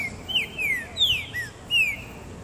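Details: Pet green-winged saltator singing in a sunny garden: a run of bright, ringing whistled notes, each sliding steeply downward, delivered in quick succession with brief gaps.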